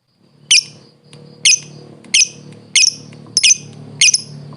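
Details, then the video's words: Lovebird used as a training master: sharp, high double chips roughly once a second over a steady low background hum. "LOVE BIRD SOUNDS"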